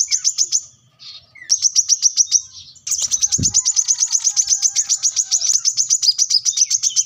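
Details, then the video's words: Plain-throated sunbird in full, rival-seeking song for cage-bird training: short bursts, then a long unbroken run of very fast high repeated chips with slight pitch shifts, one soft thump in the middle. "kolibri kelapa | wiceh | manggar | korlap gacor mencari lawan"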